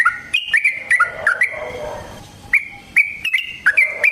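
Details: Sooty-headed bulbul used to lure birds to traps: bubbly whistled notes with falling slurs, a brief quieter gap, then crisp spaced whistles resuming.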